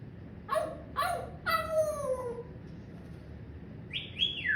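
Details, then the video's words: Pet parrot laughing, talking and coughing: a run of three falling, harmonic squawking calls, the last one drawn out, then two high whistled notes after a short gap, against a quiet indoor background. "PARROT MY BUDDY HIS LAUGHING TALKING AND COUGHING"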